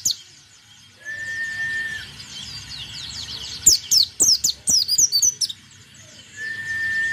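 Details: Energetic white-eye singing: a fast run of about eight piercing, downslurred high notes, with clicks, framed by level whistled tones before and after over a quiet background.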